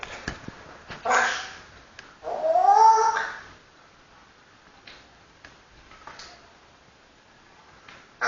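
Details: Pet African grey parrot talking: two drawn-out, speech-like utterances, the second with a smooth rising and falling whistled tone, followed by soft clicks and quiet room noise.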